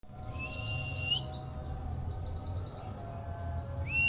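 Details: Local Oriental white-eye, a kept contest bird with a strong, persistent and unusual song, possibly learned from other white-eyes in a colony: rapid high chirps and descending notes with a long steady whistle, over low background hum.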